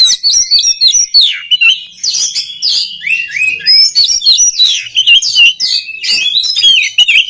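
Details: Oriental magpie-robin song, valued for training other magpie-robins to sing readily; a loud, rapid, varied stream of high whistles, slurred rising and falling notes and sharp chirps, continuous with brief pauses.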